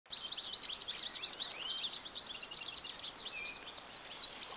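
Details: American goldfinch singing a rapid, rambling stream of high, thin twitters and short slurred notes, about three per second, with a few longer whistled slurs, over soft steady background hiss.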